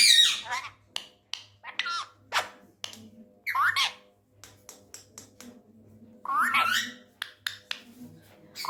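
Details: A tame talking male rose-ringed (ringneck) parakeet, said to be angry, chatters in quick, harsh bursts of mimicked Urdu/Hindi speech, with sharp clicks and squawky rising phrases, over a low indoor hum.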